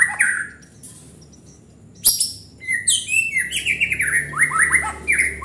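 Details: White-rumped shama singing a varied run of clear whistles sliding downward, quick repeated notes building into a fast rolling sequence after a sharp click, steady and energetic.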